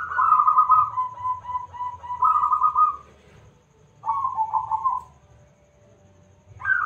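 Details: Local zebra dove, loud and in full song, used as a lure to make other birds answer. Trilled, stuttering cooing phrases about three seconds long, each sliding slightly downward, with pauses between phrases.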